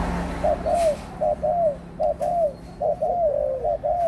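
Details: Clear, hollow coos from an adult spotted dove: short pickup notes followed by longer falling coos, given in a brisk regular sequence about every second, with faint hum behind.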